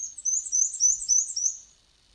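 Black-and-white Warbler song: very high, thin two-note phrases, high then low, repeated rapidly about seven times like a squeaky wheel.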